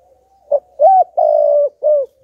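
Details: Caged decoy spotted dove cooing its full song to stir wild doves. One low phrase: a brief soft note, a rising coo, a long drawn-out hoarse coo, then a shorter falling coo.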